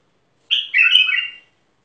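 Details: Short bulbul phrase of the Mandali kind, a ringing first note then a liquid, tumbling warble about a second long, with a faint high tick partway through.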